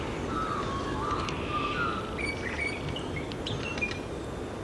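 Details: In the morning, Crimson Rosellas, an adult and two juveniles, graze on grass seeds beside a wild rabbit in a semi-rural back yard on the NSW South Coast. They give soft, sweet peeping whistles, a few clear piping notes then higher, shorter ones, over a low outdoor rumble.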